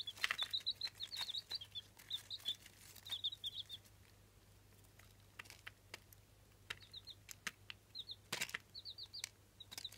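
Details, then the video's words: Incubator-hatched Jawa Aseel chicks, eight days old. Short, high peeps in rapid bursts fill the first few seconds, then thin out to scattered pairs of peeps among sharp clicks and tapping noises. "8 days Chicks ! Baby chicks ! Jawa Aseel chicks !"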